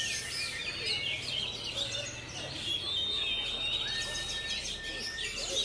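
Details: Oriental magpie-robins (kacer) in a song duel, three birds caught together: dense overlapping high whistles and chattery phrases, with a long clear whistled note sliding across the middle, over steady background noise.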